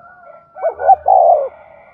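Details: Spotted dove of the 'giọng đồng' voice type, used to lure and provoke wild 'giọng thổ' birds. A single mellow coo phrase: brief rising double note, then a long level coo sliding down, over a faint steady hum.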